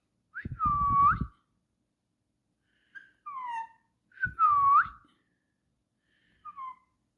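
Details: Parrot, possibly a young one, whistling indoors: a long steady tone ending in an upturned flick, then shorter falling whistles, a repeat of the long flicked whistle, and faint brief notes. Low rustling accompanies the louder phrases.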